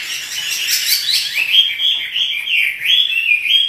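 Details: Caged Chinese hwamei in lively song; rapid twittering opening followed by clear looping whistled notes rising and falling in quick succession.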